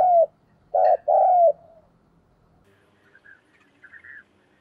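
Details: Decoy spotted dove cooing to provoke wild doves: a short low hooting note, then a gap, then a clipped note and a long falling coo. Faint high chirps from other birds follow.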